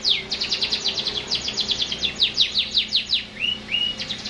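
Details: Continuous canary singing: fast bursts of sharp descending chirps repeated nearly three times a second, ending in two short rising whistled notes.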